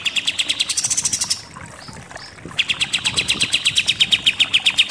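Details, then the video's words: Pied triller (kapas tembak) delivering 'super nembak-nembak' trills for training contest birds: a dense high rattle, a short gap with faint soft notes, then a rhythmic run of clipped notes repeated several times a second. "KAPAS TEMBAK SUPER NEMBAK-NEMBAK"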